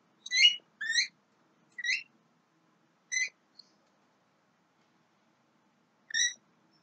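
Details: Five short, nasal, harmonic calls from a young Javan myna, given singly or in pairs with gaps of up to three seconds, against a quiet background.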